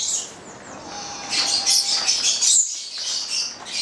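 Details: Nine-month-old captive pair of Papuan lorikeets (goliathina), bred in Italy; continuous high twittering and squeaky chatter, growing louder, with a piercing note and a short break near the end.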